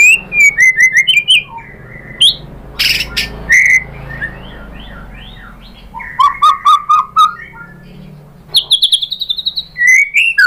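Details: Lure song of a white-rumped shama, played to draw answers from other shamas and packed with imitated phrases: scattered loud whistled notes and trills separated by quieter gaps, ending in a fast rattling series and bright whistles.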